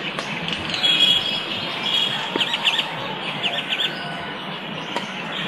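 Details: Morning birdsong in a park: high, quick chirps and short trilled phrases come in loose bursts over a steady broadband hiss, with a faint distant rumble underneath.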